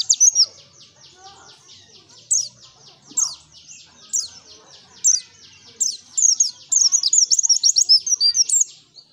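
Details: White-eye (pleci) song from the wild forest, used as a lure: a fast stuttering series of high clicks builds into repeated sharp chirps and a dense, rapid high twittering near the end, with faint low voices underneath.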